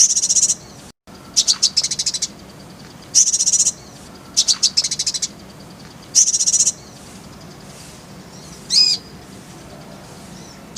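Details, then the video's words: Kolibri ninja sunbird, full-fill tutor style: buzzy high trills repeat in bursts with uneven gaps, then a few thin rising and falling whistled notes near the end. "Masteran Kolibri ninja full isian, Roll tembakan Suara jernih"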